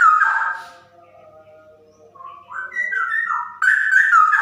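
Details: Female straw-headed bulbul in rapid 'ropel' song. A loud, bubbling whistled burst fades into softer warbling, then climbs again into strong, looping fluty phrases.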